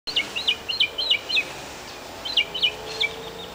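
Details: Northern mockingbird singing in a cemetery in Key West: short, bright chirped phrases, each repeated three or four times in quick succession, then a pause before another burst of repeated phrases.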